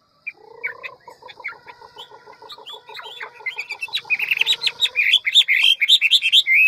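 A hwamei sings a rich, varied song: a run of quick, mellow repeated notes, then a tumbling rush of loud, clear whistles and trills.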